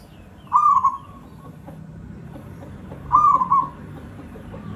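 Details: Local Javanese zebra dove (perkutut) singing a lure song meant to stimulate other birds: two rolling, trilled cooing phrases about two and a half seconds apart, each a quick bubbling burst, over a low background hum.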